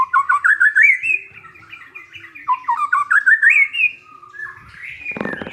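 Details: White-rumped shama, a newly kept bird, singing as a lure to provoke silent shamas: rapid bursts of rising, slurred whistled notes in quick runs of about six, with softer warbled phrases between and a brief rustling noise at the end.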